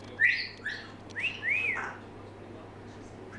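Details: Six-month-old female pet African grey parrot whistling: a pair of short high whistled notes, then a longer arched whistle that rises and falls, over a low steady hum indoors.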